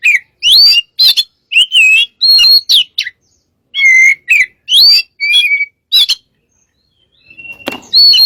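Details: Caged white-rumped shama used to lure birds, pouring out sharp whistles and upslurred chirps in rapid bursts, then a short silence and a final whistled note.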